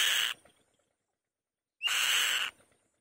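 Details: Female white-tailed kite on the nest giving loud calls: two harsh, rasping screams, the first brief, the second about three-quarters of a second long with a short upward whistle at its onset, separated by silence.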